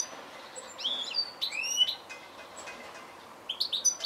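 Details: Goldfinch giving nasal, upward-sliding notes and bits of twitter, ending with a quick run of three bright chirps, over a steady hiss.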